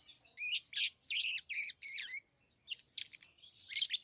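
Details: Pet lovebirds chirping: bursts of harsh, buzzy, high chirps in quick clusters, several in the first two seconds, a short pause, then sharper squeaky notes toward the end.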